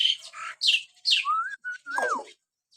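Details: Common hill myna, natural whistling as training audio for pet mynas: three loud hoarse screeches, followed by a clear level whistle and a downward-curving whistled note.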